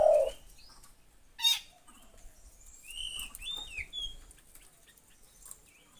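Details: Collared kingfisher chicks calling: short, thin, bending whistled notes at scattered intervals, with a low thump at the start and a brief rattling burst near the second mark in an otherwise quiet setting.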